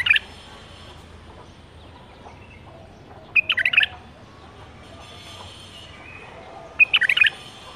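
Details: Short tumbling whistled phrases from a captive-bred bulbul of the 2018 season, two main bursts about three and a half seconds apart, faint background noise.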